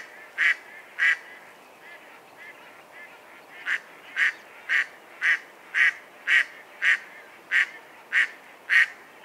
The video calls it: Mallard Bird Sound Call